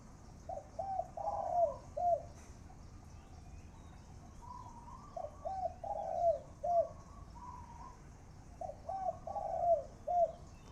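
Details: Spotted dove used as a decoy bird, cooing continuously in the khan yon style. Three similar phrases of low, mellow coos repeat about every four seconds, each ending in a longer wavering note and a short clipped coo. Fainter, higher coos sound between them.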